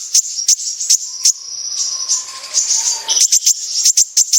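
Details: Lure recording of a kolibri ninja sunbird in full 'besetan' style: spaced sharp high ticks, a thin high trill with a faint lower whistled line beneath, then a fresh series of quick piercing ticks.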